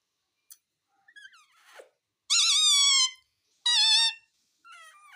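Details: Talking ringneck parrot, said to say "mummy": soft clicks and small warbled whistles lead into two loud drawn-out nasal notes, then quieter stuttering chatter.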